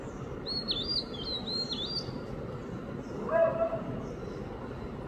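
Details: Oriental magpie-robin singing a short summer run of high, sweet whistled notes with quick slurs in Mapusa on 15 April 2023, over steady background hum and a brief low tonal sound near the end.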